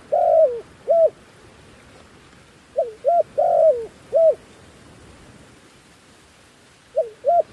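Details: Dove used as a decoy to call wild doves down, repeating a phrase three times: a drawn, wavering coo plus short sharp coos, each phrase separated by a few seconds of quiet.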